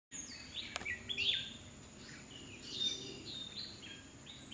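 Black-naped monarch giving sharp, high chirps and short sliding notes at an irregular pace, with a steady background hiss and low rumble.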